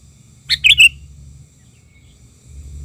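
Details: Riled-up Sooty-headed bulbul lure bird: a single quick phrase of three or four sharp, liquid notes with a twisting whistled ending, followed by quiet and a low background hum.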